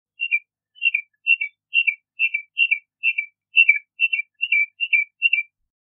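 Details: A Bahama mockingbird repeats a soft two-part whistled phrase, high then dropping, about twice a second in an even, regular series.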